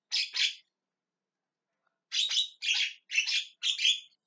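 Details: Loud grating squawks from a Javan myna: a double screech, a long pause, then four harsh calls in quick succession, roughly two per second.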